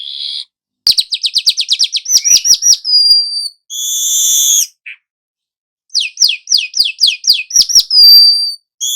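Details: Young weaver actively singing at length, used as a lure to prompt all kinds of birds to sing: fast series of high chattering notes, short buzzy bursts, thin whistles and another rapid run of repeated chips.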